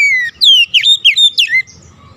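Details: Oriental magpie-robin lure song meant to get a stressed, silent bird singing: a brief run of bright, slurred whistles, some steeply rising and falling, over a faint low rumble.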